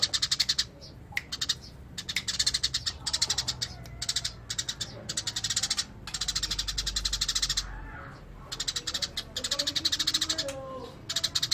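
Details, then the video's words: Natural Eurasian tree sparrow song, ngerol style: long, nearly continuous trains of harsh, rapid chirps, interrupted every second or two by short silences, over a low background rumble. "Burung gereja gacor master alami"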